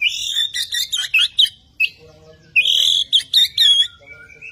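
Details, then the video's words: Captive Bornean White-rumped shama in energetic song: loud high whistled phrases and rapid chattering notes, a short pause, then another strong burst of bright whistles and trills, ending in softer whistled notes. "Burung Murai Borneo beraksi gaya mempesona"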